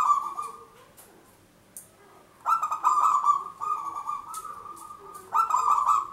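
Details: Local zebra dove with a loud, long voice, used as a lure for trapping: rich buzzy cooing phrases, each a sustained rolling trill lasting one to two seconds, separated by short pauses.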